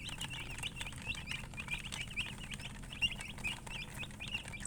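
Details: Chirping colour chickens in a group, a busy chorus of sharp high peeps, each a quick up-and-down slur, packed closely together with brief gaps, over a constant low background rumble.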